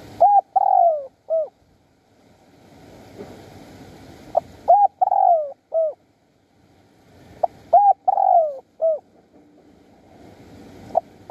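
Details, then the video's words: Spotted dove used to lure wild doves in Surat Thani, Thailand; a wild bird calling for a mate. Clear, mellow cooing phrases of three to four notes, a long purring middle note, repeated about every four seconds, faint background hum. "ต่อนกเขาใหญ่สุราษฎร์ธานี หมายในบางใบไม้ นกป่าเรียกคู"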